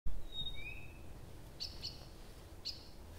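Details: Nightingale singing through the night at Abramtsevo in early June, recording begun 6 June 2021 at 23:00; two thin pure whistles, one rising, then three sharp high clicking notes, with a steady low rumble beneath.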